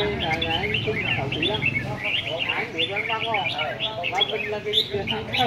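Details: Red-whiskered bulbuls, caged and displayed together on a rack at a singing competition, give quick chirpy warbled phrases high in pitch, overlapping one another, while men talk steadily in the foreground.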